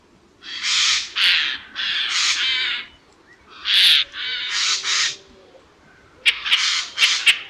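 Harsh, rasping screeches from a Eurasian jay, given in three bursts of two or three noisy calls each, with short quiet gaps between.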